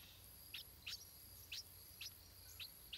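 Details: Young stripe-throated bulbul begging in its nest as its parents feed it, a series of short, sharp, high chirps roughly every half second over a steady faint hiss.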